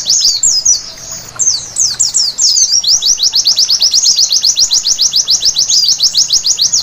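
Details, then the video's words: Night singing of a white-eye, played as therapy to make birds sing: it opens with scattered twittering chirps and a short lull, then settles into a fast, regular chain of high down-slurred whistled notes. "Terapi Pleci Malam Hari Bikin Gacor seketika!!!"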